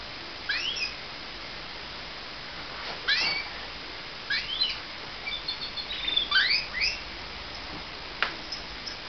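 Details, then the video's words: Pet canary singing mornings: sparse quiet phrases of quick rising and falling sweeps and short trills spaced over several seconds against faint background hiss. "My Canary Singing"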